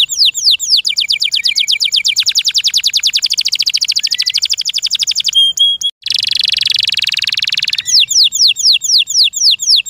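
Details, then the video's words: Kept canary delivering a long, loud, rapid trill of swept notes that speeds into a dense roll, then a buzzy rattle and renewed slower swept notes. "THE SOUND OF THE CANARY BIRDS"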